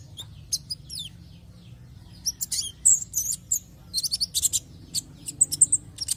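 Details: Sunbird known locally as kolibri ninja, played to draw others into song: busy high twittering with sliding whistled notes and quick chirp bursts, nearly continuous, above a low hum.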